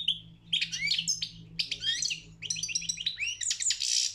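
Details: European goldfinch singing in a world championship song competition: a continuous, fast jumble of high liquid twitters, trills and sweeping notes, with a faint low hum underneath.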